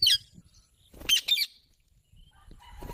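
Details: Green parrot making natural sounds: short, harsh, high squawks in separate bursts, with a quiet pause before soft rustling noise at the end.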